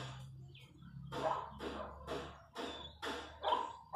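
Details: Chachalacas calling in open countryside: rough, grating bursts repeated roughly twice a second, uneven in loudness, over a low steady hum.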